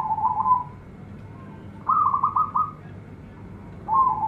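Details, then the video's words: Local zebra dove, praised for a big, luxurious voice, heard here only in softer coos: a short warbled coo, then a rolling trill of rapid pulses, then another warbled coo, over a faint low hum. "PERKUTUT LOKAL GACOR SUARA BESAR-MEWAH"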